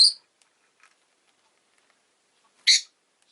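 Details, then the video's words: Rosy-faced lovebird at home giving two brief, high, scratchy chirps, one at the start and another about two and a half seconds later, with near silence between them. "Lovebird Chirping Sounds"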